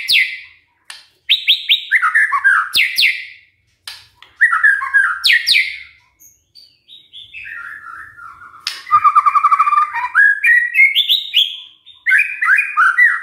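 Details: White-rumped shama singing as a lure to get other birds to sing, with a varied run of whistles, slurred rising and falling phrases, brief harsh bursts and a rapid trill, separated by short pauses.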